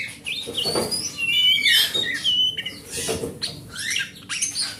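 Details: Big-bodied forest-type oriental magpie-robin kept as a hobby bird, its song meant to coax non-singing birds: quick sweet whistled notes mixed with harsh chattering bursts, flowing in a busy, irregular stream with occasional knocks.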